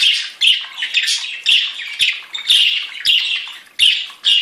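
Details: Several different budgerigars singing: a busy warble of rasping chirps and chattering notes in short bursts roughly every half second, some bursts starting sharply and trailing off, with faint clicks beneath.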